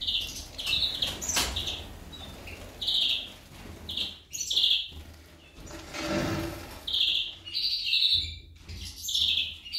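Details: High chirped notes from a female goldfinch, repeated in short clusters roughly every second, interrupted by a broad rushing burst of noise midway.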